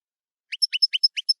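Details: European goldfinch singing in camper style. The song is a quick run of eight short, bright twittering notes, each rising slightly, in pairs with clear high overtones. There is no background noise.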